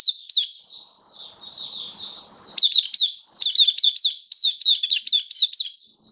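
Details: Kept Oriental white-eye, dated 27 October 2022, opens with smooth sustained high notes over light rustling before launching into a dense, rapid twitter of crisp down-slurred chirps.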